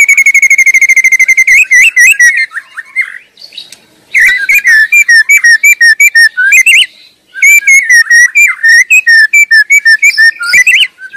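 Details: White-rumped shama singing loudly in the wild: a long steady trill of rapid notes, then rich, rapidly changing whistled and chattering phrases in two long bursts separated by brief pauses.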